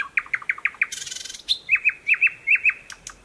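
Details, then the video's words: Song of a recently arrived thrush nightingale in stream-side thickets, Mogilev district, Belarus, 11 May 2021: a fast run of clicking notes, a burst of noisy rasp, then a slower series of loud, evenly spaced chopped notes. "Поет восточный соловей."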